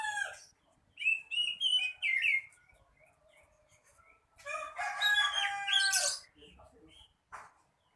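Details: Oriental magpie-robin (kacer), singing actively: a run of clear, varied whistled notes, followed by a loud, harsh, rich burst lasting about a second and a half, then a few soft trailing notes.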